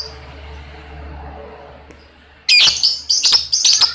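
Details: Lovebird, used to train other lovebirds to sing; after a quiet stretch with low hum, loud shrill chattering bursts begin, broken by brief gaps.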